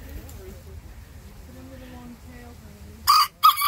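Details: Bantam rooster answering the larger rooster next door with a loud, raspy crow in two short, strained bursts, after a stretch of low background sounds.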